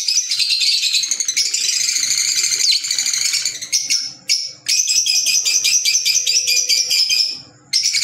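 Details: African lovebirds, green Fischer's, chatter almost without a break: a dense, rattling stream of high squeaks and trills with a couple of short gaps near the middle and end.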